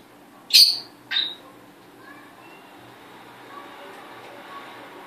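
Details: Hand-reared pearl cockatiel kept indoors gives two sharp, high chirps about half a second apart, each a brief bright note with ringing overtones, followed by quiet room noise and faint soft sounds.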